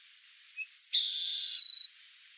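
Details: Burrowing owl (Athene cunicularia), wild, in Brazil: a sharp high note, then a buzzy, harmonic-rich rattling trill lasting about a second against a quiet background.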